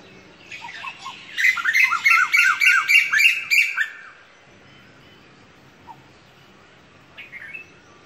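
Asian koel giving a shrill, bubbling series of about eight quick, ringing notes over two and a half seconds, then quiet with a faint chirp near the end.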